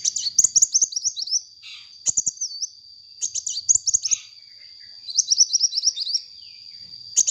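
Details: Sunbird, lively song used as a lure: bursts of rapid, high, twittering chirps and short trilled phrases, broken by brief pauses, over a steady thin high tone, with a few sharp clicks.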